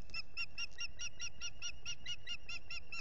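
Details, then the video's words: Osprey on a Finger Lakes nest in the US, 8 April 2022, begging for food. Unbroken rapid shrill whistles, about fourteen in three seconds, ring over a low rumble of wind, captured by a solar-powered nest camera. "Ursula begs for food"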